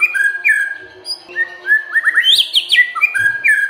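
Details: White-rumped shama singing as a provoking lure for silent birds: a continuous flow of varied whistles that slide up and down, with a quick rising flourish in the middle.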